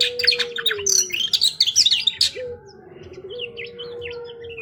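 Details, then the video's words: White-rumped shama: a dense burst of fast chattering and whistled notes that fades into soft, scattered twittering, with a steady low hum throughout. "Burung Kacer Super Mewah"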